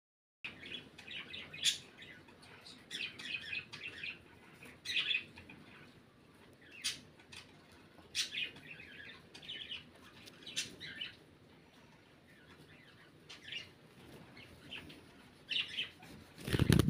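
Budgerigars chatter in scratchy, high warbles broken by sharp clicking chirps, with a dull thump at the end.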